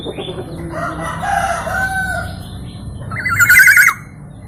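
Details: Black-naped oriole, a local bird of East Java said to have many melodious sound variations; soft drawn-out tones come first, then a brief loud chattering rattle of quick, jagged repeated notes.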